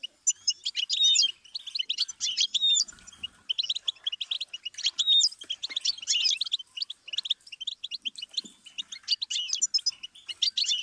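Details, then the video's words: Goldfinch song used as a stimulus for teaching songbirds: long, rapid, high twittering phrases of sharp tinkling notes and buzzy trills, broken by short pauses. "Series of stimuli for the goldfinch, collective for all songbirds"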